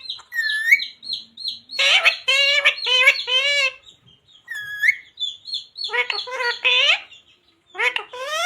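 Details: Parrot saying words such as "sita ram" and "radhe radhe"; bursts of harsh, voice-like syllables in two groups, amid a constant backdrop of high, repeated chirps from small birds.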